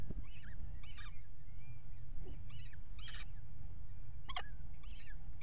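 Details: Peregrine falcon pair at a water tower nest box, mating on the ledge in February: short harsh chattering and wailing calls spaced through the clip, with steady low rumble behind.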